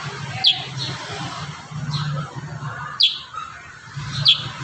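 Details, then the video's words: Kurincang singing: sparse, sharp, high chirps, about four in under five seconds, separated by pauses, over a steady low hum. "Masteran terbaru burung kurincang gacor isian"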